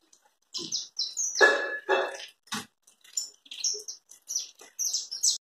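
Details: Saffron finch (canário-da-terra) singing in the style called chapinha carritilha: quick bursts of high, sharp chirped and slurred notes at an irregular pace, interrupted early on by two louder, harsher, lower-pitched noises.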